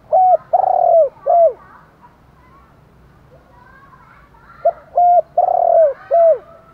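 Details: Spotted doves, male and female, cooing in the morning to call other doves: two loud phrases of short note, coos and a long rolling coo, separated by a three-second pause with faint background cooing.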